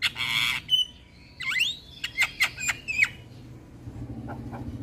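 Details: Javan myna, a lively singing bird meant to provoke other mynas into singing: a harsh buzzy burst, then a quick run of sharp whistled sweeps and clicks, fading to a few faint notes over low background hum.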